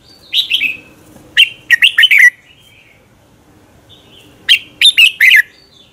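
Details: Red-whiskered bulbul singing in contest style in the morning, a lure for training birds: two-note warble, then two bursts of four or five rapid, bright whistled notes separated by a quiet pause.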